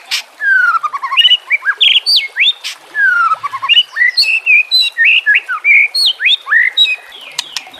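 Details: Training recording of white-rumped shama song set against trickling water: a rapid, varied run of whistled notes, long descending slurs and short bright chips, nearly continuous for several seconds over a soft background hiss.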